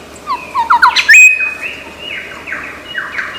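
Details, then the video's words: Lyrebird from Australian forest, famed as a mimic, delivering a quick burst of chattering notes followed by a loud clear whistle and a series of slurred, falling whistled phrases. "Lyre Bird Burung 1001 Suara"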